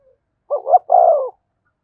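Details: A single spotted dove coo phrase from a decoy bird meant to rouse a newly caught caged dove: a quick two-note lead-in, then a longer, soft, falling coo.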